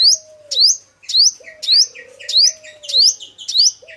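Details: Male five-coloured sunbird song for luring birds to traps. High rising chirps come roughly every half second, with softer lower twitters between them and a low drawn-out hum in the background.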